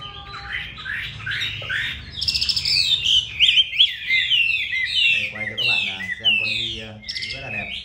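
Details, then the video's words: Kept Chinese hwamei filmed indoors at home in Hanoi, Vietnam, delivering a rich song of fast, sweeping whistled notes, loudest in the middle; a person's low voice and rasping sounds join near the end. "Mi đẹp vn9966. Giọng hay"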